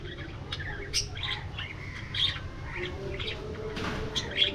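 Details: Chirping parakeets in a spacious aviary: scattered sharp, squeaky chirps and short warbled notes across a few seconds, a couple louder peaks, against a constant low rumble.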